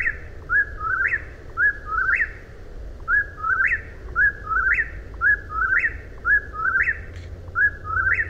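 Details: Eastern whip-poor-will calling tirelessly, about eight whistled three-note phrases, each rising sharply at the end, delivered at a brisk regular pace against a quiet low-pitched hum.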